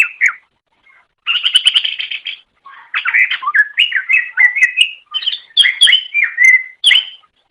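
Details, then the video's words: Greater green leafbird singing for pet-bird masteran training: a buzzy trilled burst, followed by a long run of varied whistles, slurs and chirps in quick succession. "MASTERAN GACOR - Suara Burung Cucak Ijo"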